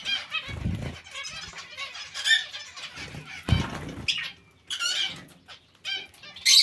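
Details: Several zebra finches in a shared colony with other finches: continuous busy chattering of short calls, with repeated low thuds and wingbeats from birds landing and moving, and louder call bursts after four seconds.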